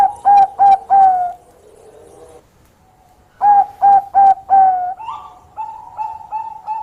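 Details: Keenly singing Bangkok zebra dove, trying to draw a rival into answering: a three-note burst of loud coos, a quiet pause, a four-note burst, then a quicker string of softer, regular notes.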